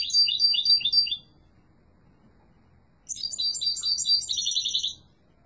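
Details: European goldfinch of a yellow mutation singing strongly: a short burst of fast, liquid twitters, a pause of about two seconds, then a longer jangling phrase with buzzy trills.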